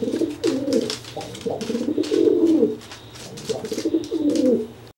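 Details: Threat display by a dry pigeon toward a wet one that just bathed and cannot fly, the dry bird puffing up; continuous low, burbling coos running almost without pause, a brief lull, then another coo bout.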